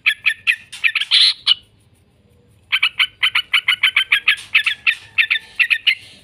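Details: Yellow-vented bulbul lure recording for training birds, short bursts of harsh chattering notes, a silent gap, then a long regular series of rough, clipped notes about three per second.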